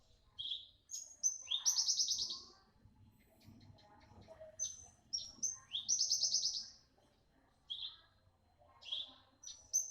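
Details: Young parva bush lark singing energetically with a piercing tone: short high whistles lead into buzzy, rapidly pulsed trills, repeated in two main phrases with brief chirps between.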